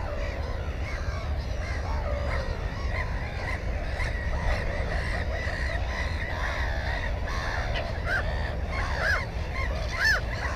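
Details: Black-headed gull nest with one egg and one chick, GoPro 4 footage from 15 May 2016. Continuous harsh, wavering calls from many birds build to loud screeching bursts near the end, over a steady low rumble.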